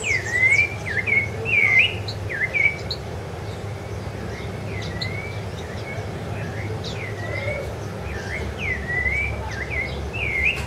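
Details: On Ilha do Governador in January 2013, a Rufous-bellied thrush (Turdus rufiventris) sings a long run of short, mellow whistled phrases, each a swooping slur, repeated almost continuously over steady low background rumble and scattered high chirps from other birds.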